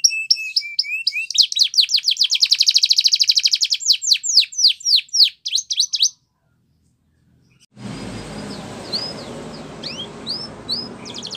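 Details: A Spanish Timbrado canary's training song: fast, high rolling trills and bright repeated notes for six seconds, then after a pause a hissy, noisy stretch with a few sparse chirps.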